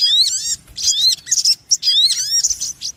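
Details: Sogon ontong, an Indonesian bird, in a noisy lure call used for trapping: bursts of high, rapid, chattering notes with sharply rising and falling whistled slurs, broken by short pauses, each burst lasting about half a second to a second.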